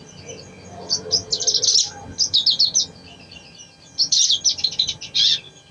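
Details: Crimson sunbird song used to spur a reluctant singer: two bursts of quick, high, tinkling chirps separated by a soft pause, the second run ending in a strong trill.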